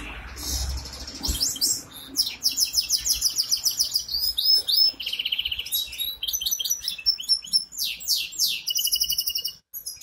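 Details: Goldfinch hybrid in Ankara, singing a fast, high, continuous warble of twittering trills, buzzy notes and sharp whistled slurs that barely pauses for ten seconds, with faint low room noise underneath.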